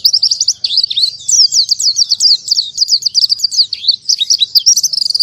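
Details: High, rapid twittering of an oriental white-eye in the 'tembakan tanpa nafas' style, sharp slurred chirps tumbling without a breath, ending in quick clipped notes; background nearly quiet.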